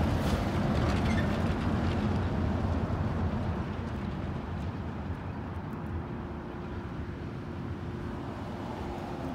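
Steady low road rumble from passing vehicles on a city street, slowly fading, with a faint steady hum and no animal voices.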